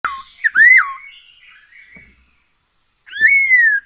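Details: Black-throated laughingthrush, singing actively and used as a lure to get other birds singing: loud clear whistles, each rising and then falling, one early and another near the end, with softer warbling between them.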